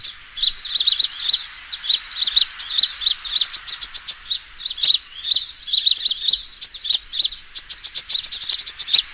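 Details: Sunbird fighting call used as a trapping lure: dense bursts of sharp, very high chirps and twitters, delivered in rapid clusters with short gaps across the whole stretch, no other sounds.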